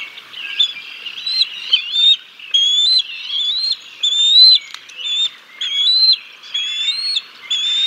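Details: Bald eagles at the Decorah North nest on 6 May 2022, on a live nest camera, as the father brings a fish and feeds the chicks; thin, high whistled calls with slurred rising ends, repeated in uneven bursts about every second.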